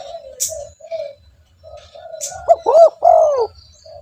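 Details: Spotted dove calling, used as a lure to attract other doves: soft low hums at first, then three loud arched coos near the end, the last long and falling.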